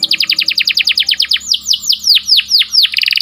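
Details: Canary song for training and stimulating breeding birds, sharp and rolling: a rapid series of bright repeated notes slowing into deeper downward-swept whistles, closing with a quick buzzy trill.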